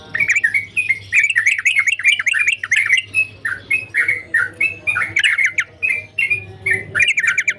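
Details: Sooty-headed bulbul singing gacor style, an energetic, near-continuous stream of bright chirping notes that bounce up and down in rapid succession, a few brief gaps, and a low steady hum in the background.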